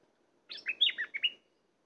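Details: Bulbul kept as a decoy to lure wild birds gives one short, bubbly phrase of about six quick warbled and sliding chirps, all within one second, against an otherwise quiet background.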